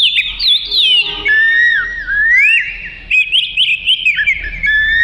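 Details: Melodious Oriental magpie-robin song meant for tutoring cage birds, with varied whistled notes, long gliding slurs and twisting phrases, broken by brief pauses, over a faint low hum.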